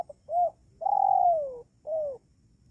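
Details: Spotted dove call used as a lure to draw wild doves close: a short soft note, then a long rolling coo sliding gently downward, ending with a shorter falling coo.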